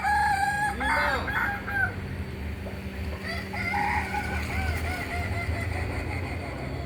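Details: Kokok Balenggek cockerel of Solok, West Sumatra, Indonesia, with a burst of bent, stepped crow notes early on, then fainter crowing over a steady background hum.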